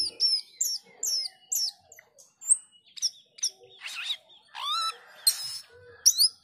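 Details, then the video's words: Singing male Asian glossy starling stringing together a varied song: a fast series of sharp falling whistles, then raspy buzzy notes and a harsh rattling chatter, with bright high chips at the end. "Cucak keling jantan gacor menyusun lagu"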